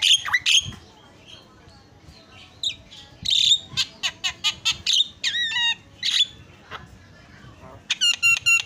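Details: Caged Javan myna recorded as master song for training cage birds; after a quiet start, sharp clicks, harsh squawks and stuttering ladder-like whistled trills follow in quick succession.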